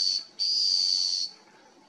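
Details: Scaled antbird at Sertão São Lourenço, Bertioga, São Paulo, Brazil, in October 2020, giving thin, very high whistles: a brief note, then a longer steady one of about a second, against a quiet background.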